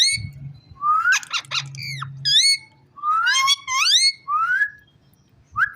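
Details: Talking rose-ringed parakeet giving a run of rasping, speech-like syllables and bright upward-sweeping whistles in quick bursts, with short pauses between phrases and a faint low hum beneath.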